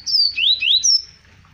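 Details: Double-collared seedeater, Arapiraca, Alagoas, Brazil, 2020, gives a short song: a high downslurred whistle, two rising swoops, then a level high whistle, delivered in about one second.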